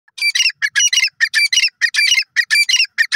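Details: Francolin (teetar) calling: harsh, squawking notes in quick rhythmic bursts, grouped and repeated without pause, loud and clear against a quiet background with no other sounds.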